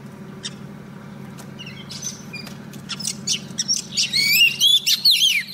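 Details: Decoy female Oriental magpie-robin calling to a male, used in trapping: scattered faint ticks and soft chirps, then a loud burst of swooping, rapid whistled notes in the final second and a half, over a constant low hum.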